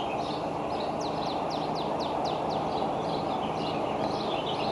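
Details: Decorah bald eagle nestlings, around two months old, on 30 May 2012 after a playful fight. A run of about seven descending, piercing whistles is flanked by softer high chattering, over a persistent broadband rush.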